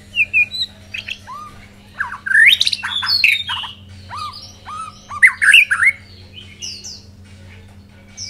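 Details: Song of a white-rumped shama after its first moult. It is a varied, loud phrase of rich rising whistles, short downslurred notes and harsh squawky bursts with pauses between phrases, over a constant low hum.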